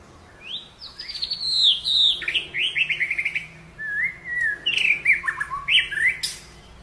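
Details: White-rumped shama in full song: loud, varied phrases of clear whistles, quick descending slurs and rapid trilled notes, delivered in bursts with short pauses between them. A brief sharp noise near the end.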